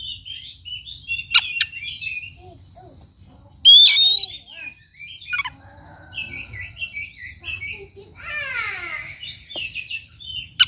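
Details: Oriental magpie-robin song meant to prompt a quiet bird: busy overlapping whistles and chirps with a loud harsh burst, later a descending rattling series, over a faint steady high tone.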